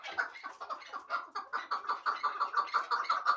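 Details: Hybrid partridge, a bird kept for fighting and hunting, giving a steady run of hoarse clucking notes that repeat nearly three times a second and grow louder and more regular toward the end, with little background sound.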